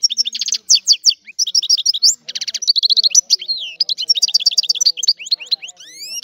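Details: Sicilian European goldfinch delivering a rare antique-style song, a long rapid sequence of high twittering notes, trills and buzzy bursts, ending in several rising whistled slurs.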